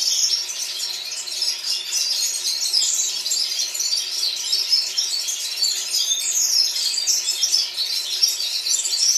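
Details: In Baku, Azerbaijan, several red-fronted serins sing together in a chorus: dense, continuous, high, fast, tinkling twitters and trills with no pauses.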